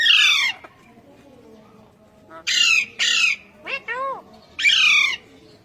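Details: Urdu- and Hindi-speaking pet Indian ringneck parakeets; a harsh screech, a quiet pause, then a run of rasping squawks, two shorter upward-curving notes, and one more loud screech.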